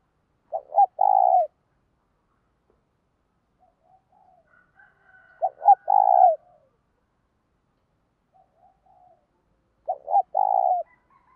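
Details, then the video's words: Cooing spotted dove: three soft, low phrases, each two short clipped hoots then a longer rolling coo, spaced about five seconds apart in a quiet setting. "Cu gay thuc cu dat thuc bổi"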